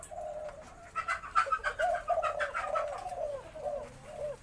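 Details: Played-back recording of a white-coloured Spotted Dove, sex uncertain but possibly female, singing a full four-note 'khan yon' crow in a medium-to-large, deep voice: a string of low, soft coos with rolling notes, plus faint higher background sounds.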